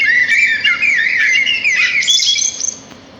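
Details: Sparrows singing in nature: a busy, unbroken stream of bright chirps and twittering trills, with fast notes sliding up and down and the phrases overlapping, fading near the end.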